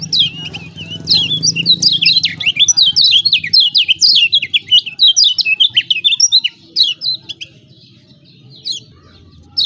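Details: Lombok lemon-bellied white-eye in full, energetic song, played to coax quiet birds into singing; dense run of high, sharp, down-slurred chirps for about seven seconds, then a few scattered notes, with a brief low rumble early on.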